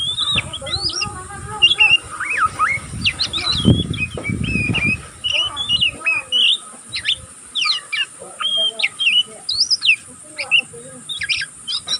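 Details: Continuous twittering of a young oriental magpie-robin still learning: varied whistles, slurs and sharp chips throughout, with a burst of low noise or voices in the middle.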